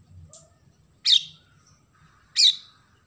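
Oriental magpie-robin giving two loud, harsh, sparrow-like chirps a little over a second apart. A faint low hum sits underneath.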